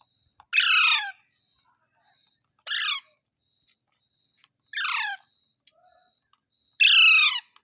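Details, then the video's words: Parrot giving four harsh, raspy squawks that slide downward, each about half a second long and spaced roughly two seconds apart, in an otherwise quiet setting. "Funny parrot sound"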